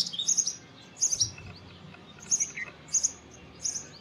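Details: Indian robin song given as five brief, high twittering phrases spaced under a second apart, each a quick cluster of thin notes, over low background hiss.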